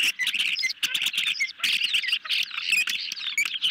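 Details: A nest-camera recording from July 2021: hungry ospreys being fed a medium-sized fish in the evening, giving a steady stream of sharp, high chirps, several birds calling over one another.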